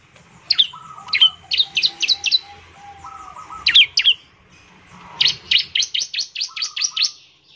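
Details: Bar-winged prinia in active song used to encourage others to sing: runs of rapid sharp chirps, the last a steady series of about eight notes, mixed with soft lower warbling phrases.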